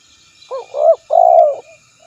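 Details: Spotted dove giving one loud three-part coo: a short doubled note, a rising swelling note, then a long drawn, slightly falling coo, with a soft trailing note after and a quiet background.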